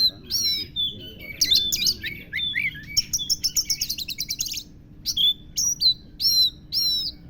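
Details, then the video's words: Magpie-robin (kacer) with lovebird-style mimicry: opening whistles, then a fast run of scratchy chattering notes, followed after a brief pause by clear downward-slurred whistles repeated roughly every half second. "kacer isian lovebird"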